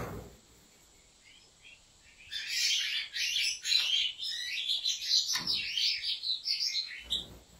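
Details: A Turkish breeder's European goldfinch bursts into song after two quiet seconds. It gives a fast run of bright chirps, buzzy twitters and trilled phrases that carries on to the end, with a soft knock at the close.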